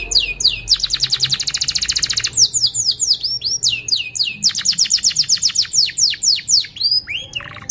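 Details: Canary in long, continuous song used as a lure to teach young canaries to sing: fast buzzy high trills alternate with rapid downslurred chirps and sweeping whistled notes, nearly nonstop, with no other clear sounds.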